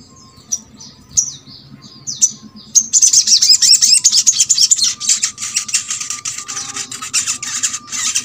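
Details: Crescent-chested babbler song meant to get silent birds of its kind singing: a few separate high slurred chirps, then a long, fast, bright twittering stream of repeated notes.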